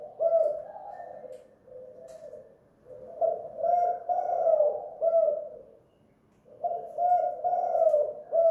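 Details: Tekukur or derkuku, the spotted dove, singing at home in the hanging kuk/guk style prized for decoy birds. Several low, rounded coo phrases, each about two seconds long, are split by quiet gaps.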